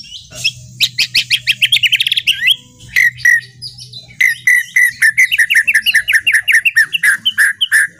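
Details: White-rumped shama kretekan song, intended to provoke other birds, 24 January 2023: accelerating rattle of high notes, a brief pause, then a long even series of short whistled chips.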